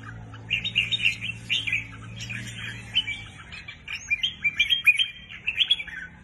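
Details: Caged red-whiskered bulbul, newly added to a keeper's birds, delivering lively, repeated whistled notes in quick runs that grow busier in the second half. A low hum fades out partway through.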